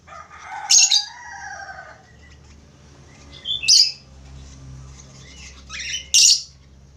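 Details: Chattering budgerigar whistling song, a low warbled phrase at first, then three loud scratchy chirps spaced about three seconds apart, each trailed by brief whistled slides.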